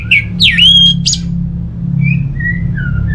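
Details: Orange-headed thrush song from North Bali used to prompt silent birds: a ringing chirp, a deep swooping rising whistle and a buzzy note, then quieter thin slurred whistles, over a steady low hum.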